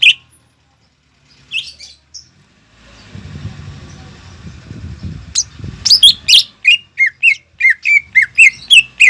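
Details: Leafbird song played to draw a learning greater green leafbird into singing: a few scattered notes and a stretch of low rustling noise, then a rapid, regular run of loud slurred whistles.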